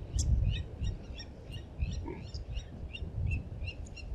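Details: Blacksmith lapwings defending their nest at Djuma Private Game Reserve: repeated sharp metallic clinking calls, several per second, over heavy low rumbling noise.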